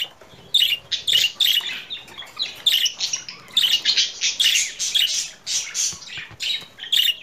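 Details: Budgerigar chattering song of quick scratchy chirps, squeaks and warbled phrases in steady bursts, growing busier toward the middle.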